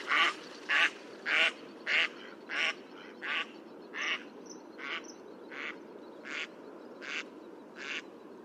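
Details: A Mallard quacks in a steady descending series of about thirteen rasping notes, two every second or so, each a little quieter than the last.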